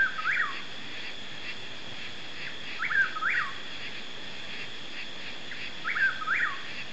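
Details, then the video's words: Chuck-will's-widow song only, recorded in East Texas, USA: a rolling, whistled 'chuck-will's-WID-ow' phrase repeated about every three seconds over a steady high drone of night insects. "Birdsong, Chuck-will's-widow"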